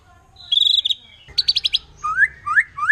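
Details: Wild forest white-rumped shama in full song that provokes other shamas: a long whistled note, a burst of five sharp rapid notes, then three rising slurred whistles.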